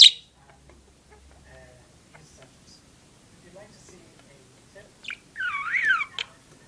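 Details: A blue and white pet budgerigar gives a short, warbling chirp that swoops up and down after a quiet start.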